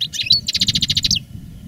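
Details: Caged veteran European goldfinch singer, strong after the moult, giving a short phrase: a few twittered notes then a rapid even series of about ten clipped buzzy pulses, over faint low hum.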